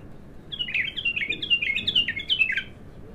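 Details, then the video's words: ['Bulbul, untrained and singing for the first time, delivers a clear continuous string of about a dozen quick, warbled, down-slurred notes over roughly two seconds.'] "تغريد الابتر خام اول فتحـه له"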